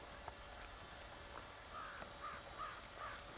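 Western cattle egret giving four short, hoarse croaking calls about half a second apart, over a steady background hiss.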